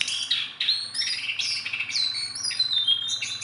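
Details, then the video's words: Sunda bulbul, tame and hand-trained, delivering loud unbroken song: long, clear high whistles that slide down and level off, layered with quick chirpy notes. "BURUNG JONGKANGAN GACOR TELER JINAK PETETAN"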